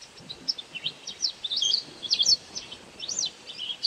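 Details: Insect-catching white wagtail uttering clear, loud, high chirps and slurred twitters in quick succession, some notes sweeping up then down, almost continuous across four seconds.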